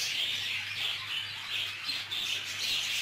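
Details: Budgerigars in a shared aviary clashing, rapid irregular squawks and chirps over continuous high chatter, with a steady low hum.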